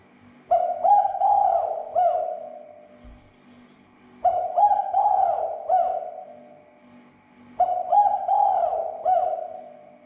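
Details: Spotted dove giving a calling lure to make other doves agitated and vocal: three repeated coo phrases, each a short stammered note followed by drawn-out hooted notes, spaced roughly every three and a half seconds.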